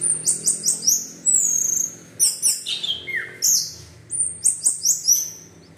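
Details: Teler-style singing from an orange-headed thrush, played to prompt other birds to join in: fast runs of high, sharply slurred whistles, one long drawn whistle, then a lower descending note before more quick repeated phrases.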